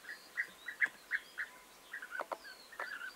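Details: Short trilled notes from European bee-eaters on 29 May 2021, about seven spaced calls at first, then quieter overlapping ones, interrupted by a few sharp clicks.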